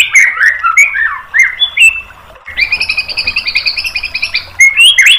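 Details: White-rumped shama lure song meant to provoke a bird into replying: a run of quick, varied whistled notes that slide downward, a brief pause, then a fast, buzzy repeated trill and sharp high chips.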